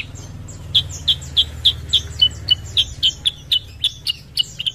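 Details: Kutilang sutra, a Sooty-headed bulbul, giving a lure song to prompt other birds to sing: clear high chips spaced roughly a third of a second apart, evenly delivered over a soft low background rumble.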